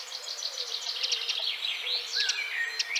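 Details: Eurasian wren (Troglodytes troglodytes) song used as a sharp training model for songbirds: a loud, high, rattling song of rapid trills and sharp piercing notes, with a few quick upward sweeps, almost without pause.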